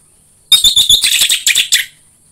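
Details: Orange-headed thrush song for prompting a kept bird to sing: a short, busy flurry of scratchy, high chattering notes lasting just over a second, slightly harsher and more blurred than clear whistles.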